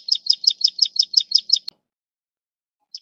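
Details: Plain Prinia (Taiwan endemic subspecies Prinia inornata flavirostris) giving a quick run of about nine high, buzzy notes, roughly five or six per second; after a soft click, one last note follows.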